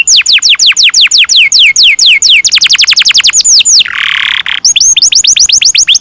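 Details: Canary singing strongly, a recording for training young birds to sing. Rapid series of piercing down-slurred whistles speeds into a tight run, then a brief buzzy rasp and renewed quick upward-curving notes.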